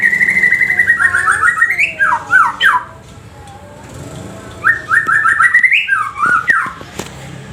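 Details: White-rumped shama, formerly silent, answering playback with song; clear whistled phrases in quick descending and rising runs of repeated notes, a short pause, then more looping whistles, steady low hum behind.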